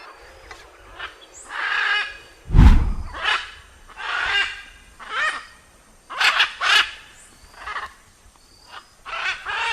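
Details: Macaw giving a series of harsh, raspy squawks, each about half a second long and spaced irregularly, with one loud low thump partway through.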